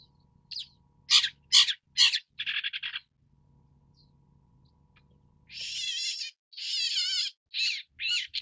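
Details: Long-tailed Shrike (Lanius schach) calling: a few loud scratchy bursts, a short grating run, a pause, then long, rasping, buzzy notes with a wavering, nasal quality.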